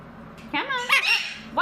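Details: A pet male mitred conure, recovering from illness, talks indoors in a harsh, nasal imitation of a human voice, with a couple of quick word-like phrases rising and falling in pitch.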